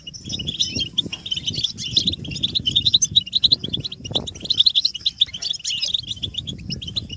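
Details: European goldfinches in group mating and readiness calls, meant to stimulate captive males: busy high twittering and liquid chirps over soft low thumps and rustling.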